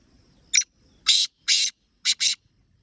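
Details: A kept black francolin gives a loud, harsh, grating call: one short rasp, two longer drawn rasps, then two quick rasps. The phrase is clean against a quiet background.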